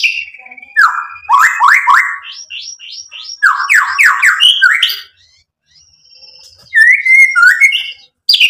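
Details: White-rumped shama singing fast repeated downward-swept notes in quick trills, a brief silence, then a sliding whistled phrase with a thin high tone above.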